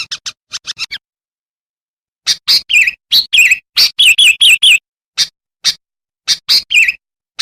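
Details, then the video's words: Sooty-headed bulbul calling energetically to attract wild bulbuls: a fast ticking series of thin chips, a pause, then bursts of loud chips mixed with brief liquid warbles, roughly one to two notes a second. "Suara burung kutilang gacor ampuh tuk panggil kutilang liar"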